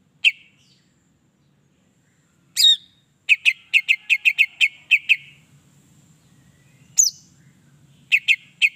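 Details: Greater green leafbird song played to excite other leafbirds into singing. A few sharp isolated notes, then a rapid series of clipped, whistled chips repeated several times per second, ending in more spaced chips over a faint low hum.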